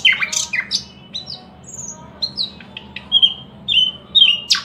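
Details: Thrush nightingale giving loud downslurred whistles and sharp chips, then a calmer series of clear, drawn-out whistled notes repeated at short intervals, over a quiet low hum.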